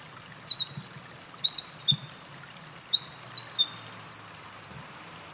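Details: A Eurasian wren on a mountain pass in Japan, 28 April 2024, seen earlier carrying nest material, sings intensely: a loud, rapid song of very high, sharp notes and rattling trills running unbroken for nearly five seconds.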